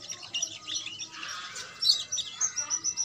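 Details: Young canary, two months old, singing a lure song meant to prompt other birds to sing: a busy stream of high, thin chirps and twittering trills, irregular and overlapping, with a faint low hum underneath.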